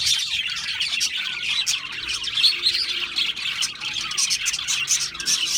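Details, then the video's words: Several budgerigars twittering continuously, a warbling mix of short chirps, scratchy notes and quick squeaks with no pauses. "Natural Parakeet Singing Birds | Parrots Chirping sounds"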